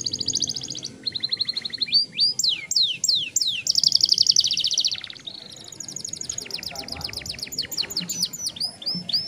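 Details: Extended rolling song from a young canary, mixing flat trills, sharp descending sweeps and a dense buzzy roll, then finishing with a long, rapid, evenly pulsed trill of high notes.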